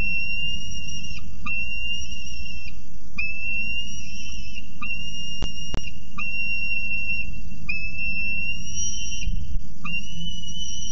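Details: Young male peregrine falcon sleeping on a nest-ledge at night (18 Nov 2018, CSU Orange falcon cam) wakes and cries softly at his returning mother for minutes: long, high, drawn-out whining cries over low wind rumble.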